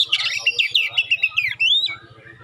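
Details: Provoking song of a magpie-robin with sharp 'shot' sounds and clear tones, a steady stream of rhythmic whistled notes around a high pitch ending in a rising clear whistle, over a faint low hum.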